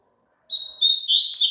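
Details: Double-collared seedeater song played to make a caged bird sing along. A thin, level whistle gives way to a buzzy, rising warble that is cut off before the phrase ends.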